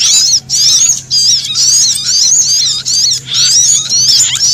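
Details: Alarm screams of a frightened sunbird blended with a prinia for bird luring: continuous piercing, wavering high notes broken by short gaps roughly every second, a soft low hum beneath.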